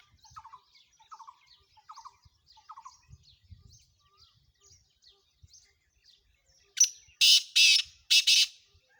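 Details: Calling black francolin in Sindh, Pakistan, its harsh grating phrase of three or four loud rasping notes arriving near the end, after quiet repeated chirps from a smaller bird.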